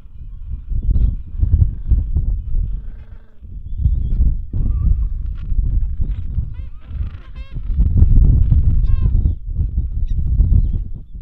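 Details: Gentoo penguin at the Bull Roads colony, back from feeding at sea, singing with its mate to find the nest before they swap places; chicks about two weeks old. Loud braying honks in quick, uneven series over heavy wind rumble.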